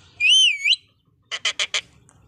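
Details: Indian Ringneck parrot, a green parrot, gives a wavering clear whistle, then after a pause four short, rapid, harsh chattering notes.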